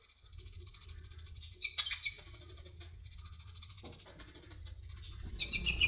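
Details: Sunbird (konin, kolibri ninja) singing: long, very high, buzzy trills of rapidly repeated notes, broken by short chirpy phrases and brief pauses, with a low hum underneath.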